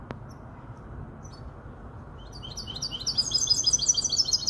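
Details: Young goldfinch hybrid, aged five months, in Casablanca. A single click comes first, then a pause. From about halfway through, it breaks into a quick, high, twittering phrase of repeated chirping notes that grows louder toward the end.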